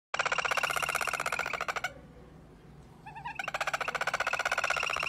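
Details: Toucan laughing and cackling in a rapid, harsh, rattling stream of pulsed notes, about four per second. Two long bouts are separated by a short pause that holds a few softer notes.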